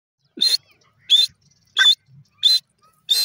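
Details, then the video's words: Grey francolin (dakhni teetar) calling, possibly a female, in a breeding setting: five loud, harsh, clipped notes spaced about two-thirds of a second apart, with quiet gaps between. "dakhni teeter calling,teetar bird sound"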